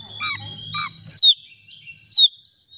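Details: Oriental magpie-robin singing as a lure to stir a silent rival into song: quick descending whistles, then two loud sharp slurred notes about a second apart, with a low hum early on.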